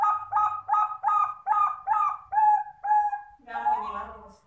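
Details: Melodious zebra dove cooing: a quick series of about seven paired, bubbling mid-pitched notes, then three longer drawn-out coos, ending with a rougher, lower burst.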